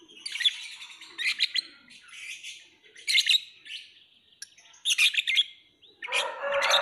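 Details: Lovebird chattering in high, shrill squeaky phrases, several quick bursts roughly every second, closing with a longer harsh rasping note.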